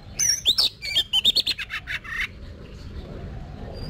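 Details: Caged Oriental magpie-robin in training for competitive singing delivers a rapid run of about ten sharp whistled and slurred notes over two seconds, then falls quiet apart from low background hum and a final thin whistle.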